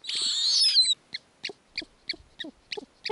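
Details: Owlets of the snowy owl on an Arctic nest, mother feeding them lemmings. A long, loud wheezing screech with a dropping whistle opens, followed by a steady train of short, paired chirping pulses about every third of a second.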